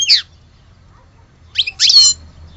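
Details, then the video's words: European goldfinch from Algeria, the true Algerian type, giving three short bright twittering bursts with a gap of about a second between the first and the rest. "Le vrai chardoneret de Alge"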